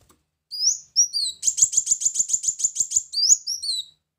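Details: Brown-throated sunbird song used as a lure call: thin, high, sweeping whistles around a fast run of about a dozen sharp, even notes, then more rising and falling whistles.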